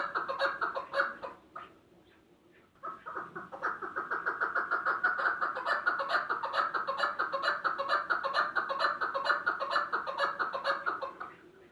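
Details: Chakor, the chukar partridge, calling: a few clucks and a short pause, then a long, steady, rapid series of harsh chuck notes at an even pace, fading out at the end.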